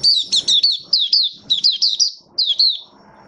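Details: Malaysian oriental white-eye in buka sing, an opening song, while not in top form and being built up; high, thin, downslurred chirps in quick clusters, a brief pause, then two more notes, with faint low room noise.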